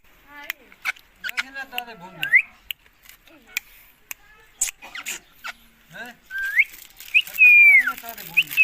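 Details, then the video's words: Indian ringneck parakeet, green, talking to its owner indoors: choppy speech-like syllables, sharp clicks and several loud rising and falling screechy notes near the end, separated by short silences. "Indian green ring neck parrot talking to me"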